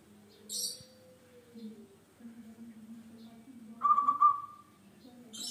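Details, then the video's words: Local zebra dove in full song, played as a lure to get other birds singing: a single rapid, pulsing coo that fades out, preceded by a faint sliding whistle and brief high chirps from other birds over a low background hum. "PERKUTUT LOKAL GACOR BUAT PANCINGAN"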